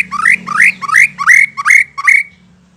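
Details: White-rumped shama sound played as a lure to make other shamas respond: six harsh, rising two-part notes climbing steeply, about one every third of a second, over a faint low hum.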